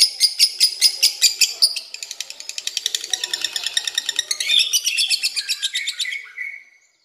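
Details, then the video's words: Lovebird in its long 'ngekek' chatter: loud, spaced high chips at first, then a denser, raspier trill about two and a half beats per second, fading out at the close. "LOVEBIRD NGEKEK PANJANG HAMPIR 4 MENIT"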